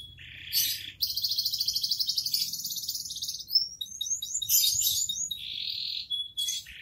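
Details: Canary in 'gacor dor' song: a loud continuous rolling trill lasting about two seconds, then a run of quick descending slurred notes and a further steady trill, over a faint low hum.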